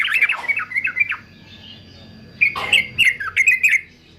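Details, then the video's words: Male fighter yellow-vented bulbul singing for song training: a short series of quick warbled notes, a second of near silence, then a fresh run of bright, slurred chatter notes. "TRUCUKAN JANTAN FIGHTER ANTI BISU"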